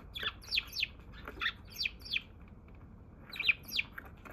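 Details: Wild Eurasian tree sparrow on 27 March, the first to arrive that day, giving bright chirps that drop in pitch, singly and in quick pairs, with a short gap in the middle and another burst near the end.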